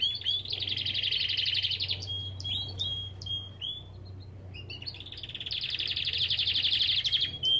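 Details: Captive Belgian canary in a breeding aviary delivering two long, rapid rolling trills, each about two seconds, with scattered sharp chirps and short whistles between them. A constant low electrical hum runs through the background.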